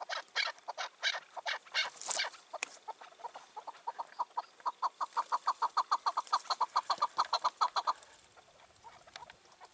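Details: Wild chukar partridge, five to six years old, released two years earlier, calling on an evening of 4 June 2023; loose harsh notes settle into a rapid, even run of clucking chuks near one pitch, then fade.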